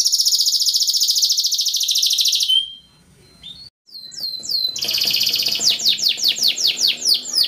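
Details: Singing yellow canary gives a dense high rolling trill, a short pause with scattered chips, then a run of rapid descending whistled sweeps repeated steadily.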